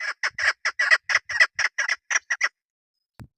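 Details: Loud raspy chuck notes from a local female chukar (keklik) used in hunting, about a dozen in quick succession, then silence broken by a single low knock.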